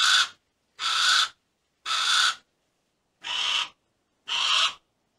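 A Harris's hawk gives five harsh, rasping screeches, each about half a second long, spaced roughly a second apart, with nothing else heard between them.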